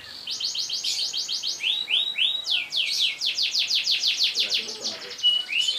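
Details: Canary singing a long rolling song, played as a master recording to train other birds to sing. Rapid high trills of repeated notes, swooping slurred phrases in between, shifting to new rolls every second or so, steady and bright throughout.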